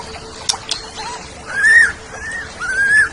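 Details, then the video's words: Oriental magpie-robin song on a tutor recording for pet birds: a few clicks, then two mellow arched whistles, each rising and falling, over a steady low hum. "Suara Burung Kacer"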